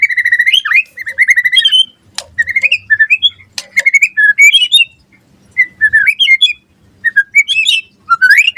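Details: Shama singing full gacor song for masteran: repeated short whistled phrases with rising and falling slurs, sharp clicks and quick trills, and a faint low hum underneath.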